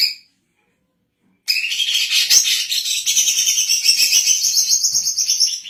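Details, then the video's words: Captive female greater green leafbird from Indonesia, kept as a model for training songbirds and as a decoy; after a silent pause, a rich continuous stream of high, rapid warbling and chattering notes runs to the end. "BURUNG CUCAK IJO BETINA GACOR COCOK UNTUK MASTERAN DAN PIKATAN"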